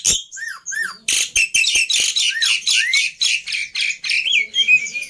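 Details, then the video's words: Black-winged myna (jalak putih) in a pancingan and masteran recording full of isian phrases meant to be easy to copy: clear descending whistled slurs, then a run of loud harsh buzzy bursts mixed with rising whistles. "Pancingan Plus Masteran Burung Jalak Putih full Isian Mudah Di Tiru"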